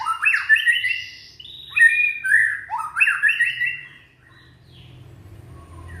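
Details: White-rumped shama, a young bird from Indonesia, singing to encourage silent shamas: loud, harsh chattering phrases sweeping up and down in three bursts, then fading to quiet room noise.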